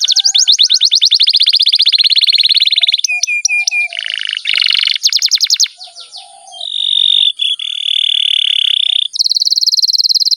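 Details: Canary song with long rolls: extended rapid trills, abrupt shifts to lower buzzy tours, clipped metallic notes, a long steady buzzing roll, and a high fast trill to close.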